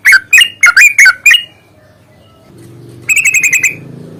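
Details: Yellow-vented bulbul in a long rapid-trill fighting song used as a lure: six bubbly, slurred whistled notes, a pause, then a fast buzzy trill of about eight notes.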